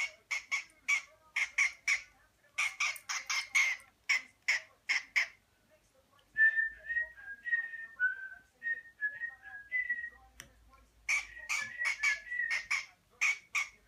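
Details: Pet cockatiel Rio singing happily, mixing quick repeated chirps with a run of clear whistled notes.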